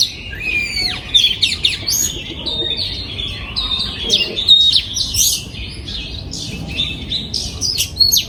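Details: Aviary-bred oriental magpie-robin, 2022, delivering a long, varied song of whistles, chirps and rapid trills, busy and continuous with brief lulls.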